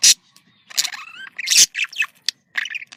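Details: Budgerigars, kept as pets, calling to stimulate breeding: sparse sharp clicks, a rising whistled glide and short squeaky chirps with gaps between.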